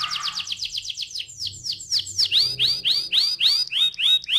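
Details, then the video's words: Canary in full song, used as a lure to prompt rolling song from other canaries; rapid downward-swept chirps repeat several times per second, slowing into louder, evenly spaced curved notes. "PANCINGAN TERCEPAT dan SUKSES BIKIN KENARI GACOR NGEROLL"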